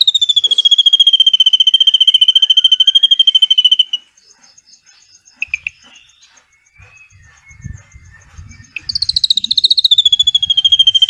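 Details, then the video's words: Drongo giving a long cililin-style trill, played to train white-rumped shamas. A shrill, fast pulsed trill runs steadily for four seconds, followed by a quiet pause with soft chips, then a second high trill rises and settles. "SRIGUNTING ISIAN CILILIN NEMBAK PANJANG UNTUK MASTERAN MURAI BATU"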